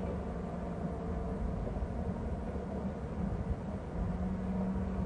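Steady low engine rumble from a passing vehicle or aircraft fills the recording outdoors, with no animal calls standing out.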